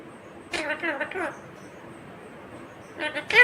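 A rose-ringed parakeet talks in two short, speech-like bursts with a raspy, high voice, the first lasting under a second and a briefer one near the end, over faint background hum.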